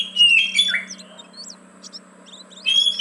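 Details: Oriental magpie-robin song used as a lure to get reluctant caged birds singing: a loud burst of clear whistles and rapid chirps opens and closes, with a quiet, sparse middle over a faint low hum.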